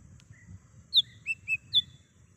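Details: Wild lesser green leafbird singing, a recording meant as a lure and call: a faint whistle followed by four ringing, sweeping whistled notes spaced about a third of a second apart over a low background rumble.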